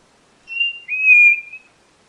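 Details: Single drawn-out whistle of the white-bellied nothura, about 1.2 seconds: a level pure tone, a brief dip, then a stronger sustained note that fades out, in a quiet setting.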